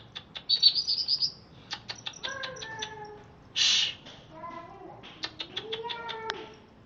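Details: Greater green leafbird of Alas Purwo origin, kept caged and recently bathed, giving a mixed outpouring: quick high chips, short level whistles at several pitches, a loud harsh rush, then sharp clicks and a low rising whistle.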